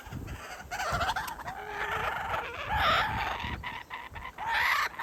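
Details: Kookaburra father teasing his chick with food before feeding it; harsh cackling notes run together, with a few brighter rising notes standing out near the end over a busy background.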